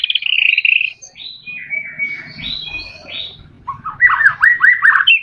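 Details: White-rumped shama song for stimulating captive shamas: a buzzy trilled phrase, soft varied whistles, then a rapid run of repeated downslurred notes.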